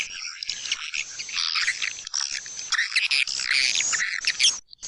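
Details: Lure call meant to draw white-nest swiftlets into swiftlet houses in East Kalimantan: a run of chittering high calls mixed with thin buzzy trills, nearly unbroken throughout.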